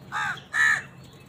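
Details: Two rough, loud caws in rapid succession from crows fighting wild birds for food, the second one sharper and more nasal.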